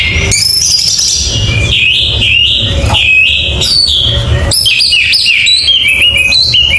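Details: Loud, rich song of an Orange-headed thrush: rapid sequences of whistled slurs rising and falling, mixed with mimic-like chirps and trills, delivered almost without a break over a faint low hum.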